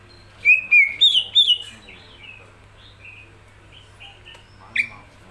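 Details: Greater green leafbird, a kept bird in full song: four loud, sharp whistled notes in quick succession, then softer warbled phrases and one more sharp note near the end.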